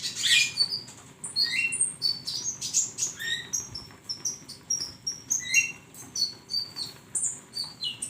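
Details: Flowerpecker song used as a training recording for songbirds: rapid, very high, thin chirps and short rising whistles tumbling over one another in dense bursts, with sharp ticking notes between phrases.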